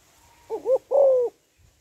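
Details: A female spotted dove calls to excite males. A wavering rising note is followed by a long, slightly falling coo. A faint high hiss runs throughout.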